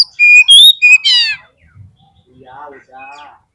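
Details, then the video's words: Oriental magpie-robin (kacer) lure song, played to provoke birds into fighting mood: a few loud clear whistled notes and a buzzy descending phrase, then faint scratchy twittering. "SEKALI PLAY KACER KALIAN PASTI LANGSUNG NGOBRA !!! KEPANCING EMOSINYA FULL FIGHTER"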